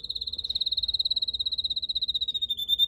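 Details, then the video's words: Red canary singing in a garden among purple azaleas at the end of March: a sustained high rapid trill of evenly spaced notes, drifting slightly lower toward the end. "赤カナリア りんりんの囀り🐥Red Canary Singing"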